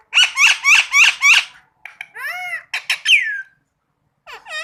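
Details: Captive green rose-ringed parakeet calling, first a run of five harsh rhythmic squawks, then drawn-out arching screeches and chatter, ending with a short squeaky note.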